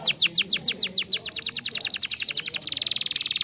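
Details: Singing canary meant to stimulate other canaries. Rapid rolling trill of bright, downward-slurred notes, which tightens near the end into an even faster, buzzier run.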